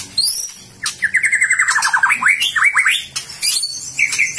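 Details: White-rumped shama giving a loud, shrill song: a quick series of down-slurred whistled notes, then rising and falling sweeps, with thin high-pitched notes at the start and scattered through the phrase.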